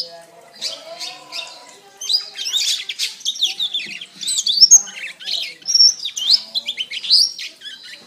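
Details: Canary singing a training master song: soft lower warbles at first, then loud, rapid high chattering phrases with clear piercing whistles and buzzy trills.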